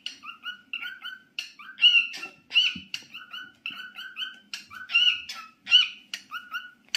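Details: Cockatiel song of repeated paired whistles in a steady skipping rhythm, now and then a brighter, louder whistle standing out, a faint soft noise in the background.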